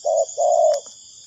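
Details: Spotted dove call for luring doves into a trap: a short soft hoot, then a longer smooth coo, with a constant thin insect drone behind.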